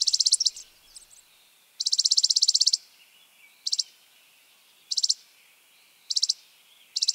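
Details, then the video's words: Spizella sparrow singing dry, rapid, high trills: a short burst, then a longer trill of about one second, then four brief bursts spaced roughly a second apart, with no other sounds over a quiet background. "Sounds of Spizella, Sounds of the Common Sparrow Bunting"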